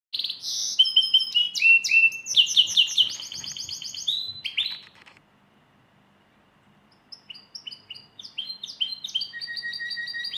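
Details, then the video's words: Lizard canary singing rapid rolling trills and high whistled notes for about five seconds, pausing briefly, then resuming with a second bright phrase. "Lizard canary singing."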